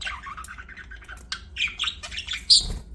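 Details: Pet budgies chattering: a run of quick, rolling warbled chirps builds into buzzy, higher notes and ends with a sharp shrill squawk, over a faint low hum.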